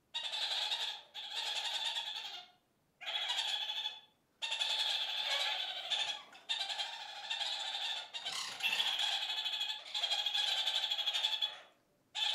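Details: Flock of kakariki communicating: a run of harsh, rattling chatter phrases, each a second or more long, separated by brief silences, keeping up a steady back-and-forth cackle.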